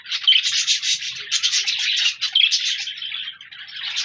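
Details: Budgerigar flock chirping on 14 January 2024: a lively stream of scratchy twitters and short clear whistles rising and falling in bursts, with almost no background noise.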